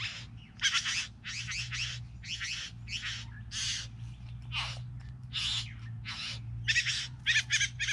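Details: Three bowerbirds keep up a chatter of grating, crackly rasps, some doubled or tripled in quick succession, in uneven spacing over a constant low hum.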